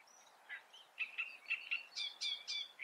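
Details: Great reed warbler (Acrocephalus arundinaceus) singing: a harsh, croaking series of short grating notes, some repeated in pairs, rising into louder chattering phrases toward the end.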